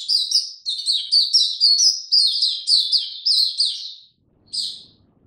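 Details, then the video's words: Oriental white-eye (Mata Puteh), a kept songbird recorded 2 May 2022, opening its song slowly and easily: a fast run of high, sweet chirped notes for about four seconds, a short pause, then one more chirp. "Mata Puteh Hercules buka sing go slow n easy"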